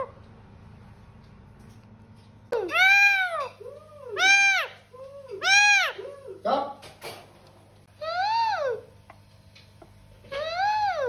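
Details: Pet talking parrot indoors producing a run of meow-like arched calls mixed with shorter lower bleating notes and a brief click, with a constant low hum underneath.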